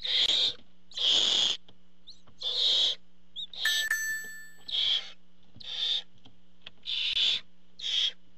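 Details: Barn owls at the nest as the male parent comes in with food: a quick series of eight harsh hissing screeches, about one per second, with a brief ringing tone midway.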